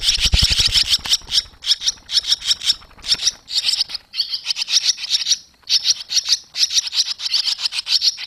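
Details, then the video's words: Barn swallows with young leaving the nest, 21 July 2023; loud, rapid chattering chirps in quick bursts, almost continuous, with a brief low thump at the start. "Boerenzwaluwen vliegen uit"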